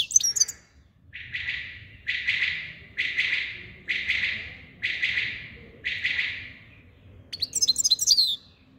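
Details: Himalayan goldfinch song in the style called subulata: a series of seven harsh, buzzy rasping notes, each under a second long and repeated about once per second, framed by brief high twittering chirps at the start and end.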